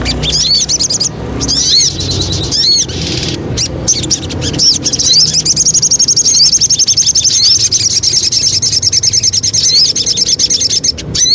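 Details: Javan cochoa song used as a lure: opening high chirps and slurred whistles, then a long, steady, rapid trill of high repeated notes lasting about six seconds.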